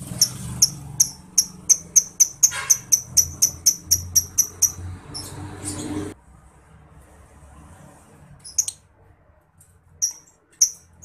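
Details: Ngetik lovebird song used as a tutor sound for competition songbirds: a rapid, even train of bright ticks, about three per second, then near silence broken by a few isolated chirps.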